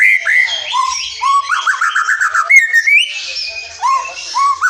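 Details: Forest white-rumped shama song played to coax silent or young shamas into song: loud rolling whistles, a rapid repeated warble, then upslurred whistles and high chattering notes.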